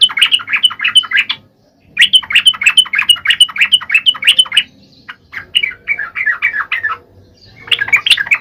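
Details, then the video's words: Energetic sooty-headed bulbul song aimed at stirring lazy bulbuls: repeated runs of quick, bubbly chirps in three or four phrases with brief gaps, over a faint low background hum. "SUARA KICAU TRUCUK GACOR AMPUH BUAT PANCINGAN TRUCUK MALES"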